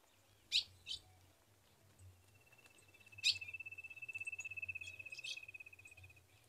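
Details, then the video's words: Calling female Ultramarine grosbeak in the caatinga of Rio Grande do Norte, inviting the male to mate. Three loud, sharp chips are followed by a long, thin, pulsing high trill and faint low hum. "Fêmea de azulão chamando e pedindo gala para esquentar o macho e macheando"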